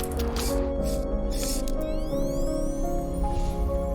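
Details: Music of layered sustained tones with rising synthetic sweeps and soft percussive splashes, and no animal voice.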